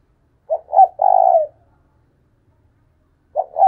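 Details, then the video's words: Decoy spotted dove cooing in a quiet setting. A pair of quick low notes leads into a drawn-out, trembling coo, and a second phrase begins near the end. "Chim cu mồi thúc sung"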